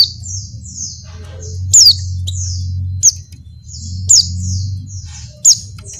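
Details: Calling to a male, a breeding-condition female Oriental white-eye gives a stream of soft, high slurred twitters broken by four loud, sharp falling notes at irregular intervals, with a low hum behind.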